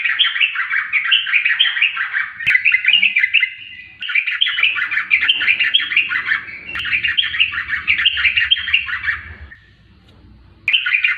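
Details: Trucukan, the yellow-vented bulbul, delivering long bursts of fast, gurgling, chattering warbles broken by short pauses, resuming after a near-silent gap; a low hum and occasional clicks underneath.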